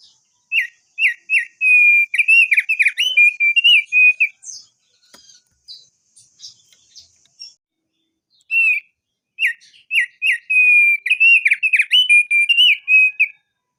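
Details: Crested darkeye singing a lure recording meant to trigger long rolling 'ngerol' song. Two bursts of loud, rapid whistled warbling trills at a steady pitch, separated by a few seconds of faint high chirps.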